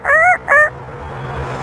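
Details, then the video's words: An African grey parrot imitates animal sounds on request, here two quick, nasal, harmonic squawks like a clipped rooster imitation, each under half a second, followed by quiet room hum; Grey parrot. "fast talking bird African grey parrot"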